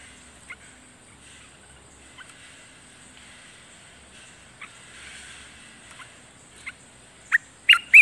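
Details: Wild streak-eared bulbul gives scattered short, sharp mid-pitched notes, ending in a louder burst of chirpy calls, used for ground-decoy trapping; a steady high insect hum runs throughout.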